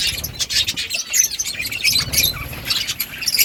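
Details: Budgies chattering together, a steady stream of high twittering chirps and short squeaks overlapping without pause, with a faint low rumble beneath.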